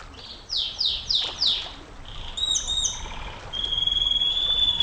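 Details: Canary song for training and luring champion birds: four descending high slurred notes repeated about every third of a second, then a softer warble and a long steady whistled tone over background hiss.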